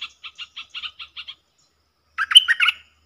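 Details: Wild southern dok taeng bulbul answering a caged lure bird without coming close; a short run of regular ticking notes, a silent gap, then a loud rich warbling phrase.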